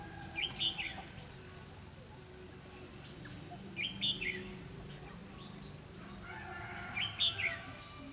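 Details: Red-whiskered bulbul decoy singing competitively to lure wild birds into a trap, 4 November 2016: three short bright warbled phrases, each rising then tumbling down, about every three seconds, over a steady low background hum.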